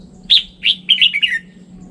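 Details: Red-whiskered bulbul, offered as a standard bulbul voice, singing one short phrase of rich, slurred whistles: two separate notes followed by a quick run of falling warbled notes, with a low hum underneath.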